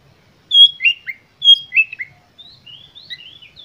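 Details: Lure song of an Oriental magpie-robin delivered with full emotion to provoke other birds: two matching phrases of bright falling whistled notes about a second apart, then a softer run of thin high twitters.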